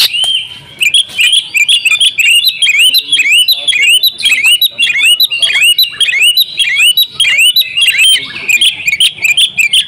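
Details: Female Oriental magpie-robin calling the male to make him sing: a dense, rapid run of sharp, upslurred chirps and buzzy notes, roughly 100 per minute and somewhat irregular, with no pauses throughout.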